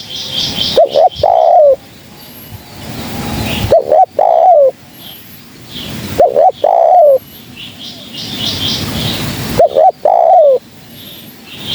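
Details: Four cooing phrases from a spotted dove, recorded as a trapping lure, come about every three seconds. Each is a brief stuttered coo and then a longer, smooth, gently falling note. Faint chirps of other birds are in the background.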